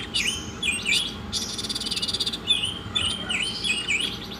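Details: Oriental magpie-robin in a masteran song track, delivering rapid sweeping whistles that dip and rise, broken by a short grating rattle, then more looping high notes over a low constant hum.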